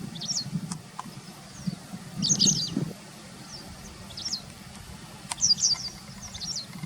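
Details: White wagtail in late September 2020, a few metres from a car, used to passing walkers: scattered high, chipping twitters, often doubled, spaced a second or so apart against constant low traffic-like rumble.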